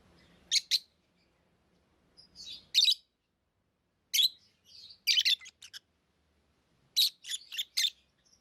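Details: Lovebirds kept as pets chirping: paired shrill rasping notes, soft twittering between, then a quick run of four sharp chirps near the end, with faint room hum early on.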